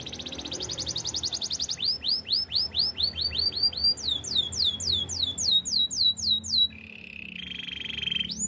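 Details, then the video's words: Canary song for training, opening with a rapid buzzy trill, then rolling rising-falling whistled syllables repeated about four per second in two sections, followed by a flat steady trill and a final upward sweep. "Bird sounds canary chirping - The beautiful canary song"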